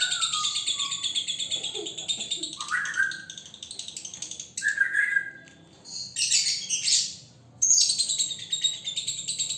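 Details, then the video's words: Young single male lovebird kept as a pet bird, in training and already showing the odd behaviour prized as konslet: dense shrill chattering and buzzy high trills, with sudden lower whistled notes, in bursts broken by short pauses. "Love Bird Jantan Prospek Konslet"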